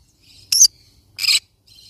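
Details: Yellow-sided conure parrot giving two short, harsh, broadband screeches about two-thirds of a second apart, with faint softer chatter between and after them.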